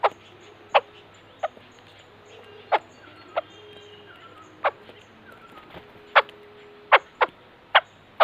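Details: White-crested laughingthrush uttering brisk, clipped clucking notes spaced unevenly, clustering faster toward the end, over a soft constant low hum.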